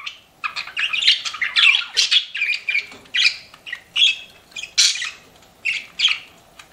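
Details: Pet budgerigars chattering indoors: a busy stream of harsh squawks and bright warbling chirps in quick bursts roughly every half second, rasping and high, with no other sounds intruding.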